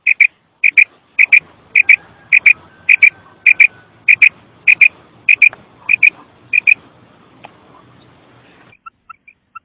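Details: Female common quail giving its kirk call (batairi ki awaz): sharp paired clicky notes repeated steadily about every half second for nine seconds, fading into softer scattered notes at the end, against a near-silent background.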